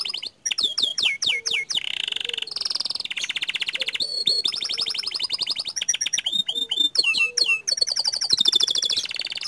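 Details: Long unbroken song from a panda canary singing in rolling style: alternating rapid trills, sharply bent whistles and high buzzy runs, each phrase lasting one to two seconds.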